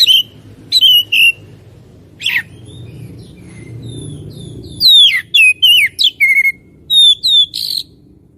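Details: Energetic oriental magpie-robin song: scattered clear whistles over low background rumble, then a fast string of varied notes, some sliding down, some flat and ringing, repeated in quick succession.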